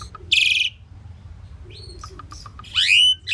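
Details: Pied myna song: a harsh buzzy burst, then a sequence of short clicks and thin whistled notes, ending with a loud rising slurred squawk; quiet low rumble beneath.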